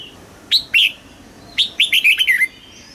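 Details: Red-whiskered bulbul from Thailand, caged, in the southern master song style played to excite birds and train young: two loud upslurred whistles followed by a quick run of six descending, liquid slurred notes.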